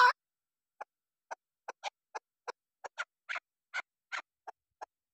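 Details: Female chukar partridge, a hunting decoy bird, giving a loud opening note and then a steady run of short, sharp clucking notes about three per second, each clipped and dry, in quiet surroundings.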